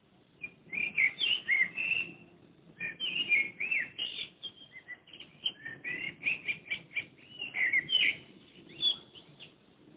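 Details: Common blackbird (Turdus merula), recorded from a window near the recordist's home in Madrid, gives a run of bright, twittering and warbled notes in quick bursts, with a low hum of traffic underneath.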